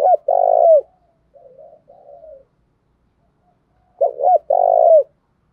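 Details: Spotted dove performing 'cu thúc gù' cooing for voice training: a loud, resonant two-part coo with a long falling tail, then softer murmured phrases, a silent pause, and the loud pattern repeated clearly.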